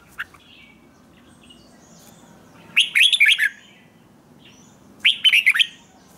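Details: Morning training song of a red-whiskered bulbul, 'ché' style: after an isolated note, two separate phrases of quick, bubbly whistled syllables, each under a second long, over a low steady background murmur.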